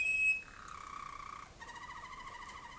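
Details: Waterslager (malinois) canary tutor singing for young 2011 birds in training cages in a darkened room in North Canton, Ohio, USA; a sharp high note, a long steady whistle, then a fast rolling, bubbling tour.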